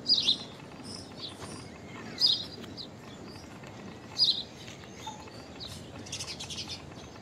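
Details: Common myna, a member of the starling family from Asia, giving sharp squeaky call notes about every two seconds, with softer scratchy chatter toward the end over a low background hiss.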